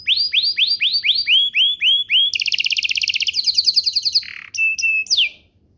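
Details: Canary song played to make other canaries reply: evenly repeated rising swept notes, then a dense rapid trill, a buzzy burst, and sharp whistled notes ending in a falling slide.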